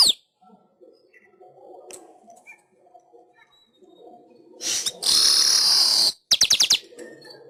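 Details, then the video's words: Weaver singing on a master track meant to train pet weavers: after a long quiet stretch, a loud sizzling buzz of about a second, followed by a short burst of quick clicks. "Masteran Suara Burung Manyar"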